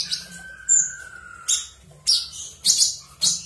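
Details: Cucak cungkok singing in ngebren style, a long even whistle followed by several sharp, high chirping bursts about half a second apart.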